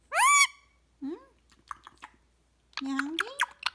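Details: Pet recessive pied Indian ringneck parakeet, Ricco, at night before bedtime: a bright, harsh squawk, then a few lower rising, speech-like chirps and mumbles. A person's voice may mix in near the end.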